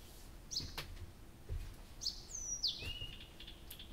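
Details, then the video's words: Nightingale singing at night in Abramtsevo in early June, recording begun 6 June 2021 at 23:00: short high whistled notes, then a sharp downward-sweeping phrase sliding into a lower trill, with faint low background rumble. "Соловей поёт всю ночь"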